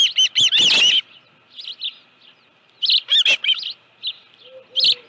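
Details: Osprey at the nest with a live fish, 25 July 2018, 5:23 PM; a quick cluster of shrill whistled chirps, then softer scattered notes and another short loud burst before fading to faint calls.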